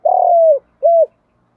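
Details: Spotted dove kept as a lure bird, cooing to draw other doves: one long, rough, slightly falling coo followed by a shorter smooth arched coo.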